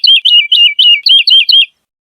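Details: Wood lark song: a quick run of about eight sweet, clear, slurred notes falling in pitch, delivered in under two seconds and followed by silence.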